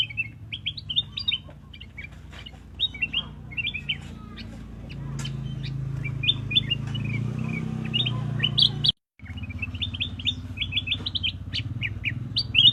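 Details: Repeated bursts of quick high chirps from a black-crested bulbul, short sweeping notes in clusters, a low rumbling hum in the middle section and a short silent break.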